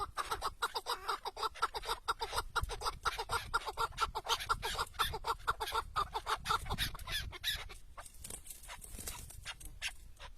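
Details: Decoy chukar partridge tied in place during hunting in the wild, calling a fast, fairly even series of chuck-chuck notes, about two a second, fading into scattered notes near the end, with wind.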